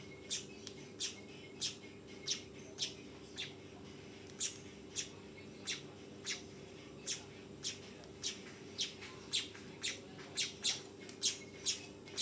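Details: A young weaver calls with quick, sharp chirps, nearly two each second and bunching closer toward the end, against a continuous low hum.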